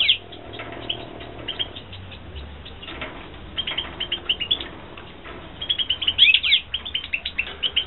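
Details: Captive European goldfinches at a 2016 breeding setup: bright, high chirps and trills in loose runs, sparse early, then a dense, louder twittering burst toward the end, with low background hum.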